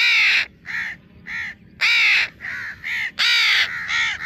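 A young house crow gives harsh, nasal caws, about nine in four seconds, in groups of one long caw followed by two shorter ones.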